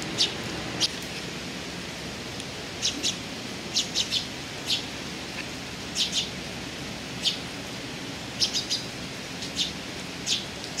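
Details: Eurasian tree sparrows recorded on 6 July 2018, short sharp chirps given singly or in quick pairs at irregular intervals over a steady background hiss.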